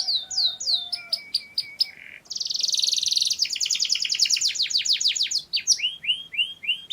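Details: Singing Mushti canary: steady lower whistled notes, then a loud fast trill of repeated buzzy elements, ending in a run of falling slurred whistles repeated about every half second.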